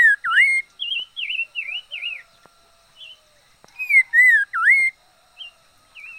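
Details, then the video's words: A red-faced liocichla used as a decoy sings: a loud dipping whistle opens, then quick wavering whistled notes, and later a second loud burst of swooping whistles. "Chim mi lửa mồi hót hay vij txwv noog vom yij liab ntseg quaj kho siab kawg li"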